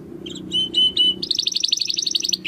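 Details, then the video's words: Domestic canary in crystal-style song for training contest birds: a few separate clear whistled notes followed by a rapid, even high trill, heard over a steady low background hum. "Kenari Gacor Suara Kristal Buat Masteran Burung Gantangan"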